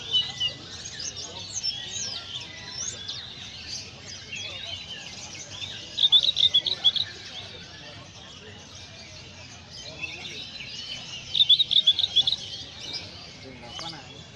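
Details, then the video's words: White-eye in Indonesia singing in a filled-in style with Master lass roll material: steady high twittering broken by two loud bursts of rapid, sharply repeated chips, around the sixth and eleventh seconds. "Burung Pleci mania indonesia gacor isian Master lass roll"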